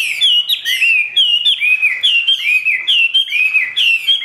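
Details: Caged Chinese hwamei singing in the ngũ trường style: loud, rich whistled phrases sliding up and down, repeated in quick succession with slurred notes and no pauses.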